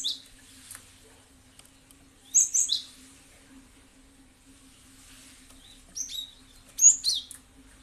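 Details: Cinereous tit (gelatik batu) recording used as a lure to make other birds answer; two clusters of high, sharp chirps, the first near the start and the second around six to seven seconds, with a faint steady low hum behind.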